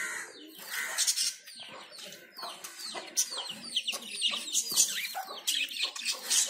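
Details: A pair of zebra finches bathing give short, nasal chirping calls amid splashing and wing flutters.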